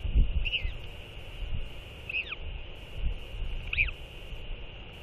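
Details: Skycalls from a northern royal albatross pair after feeding their chick. Three bent, harmonic calls land about one and a half seconds apart, each rising then dropping steeply, with breezy low rumble and steady hiss behind.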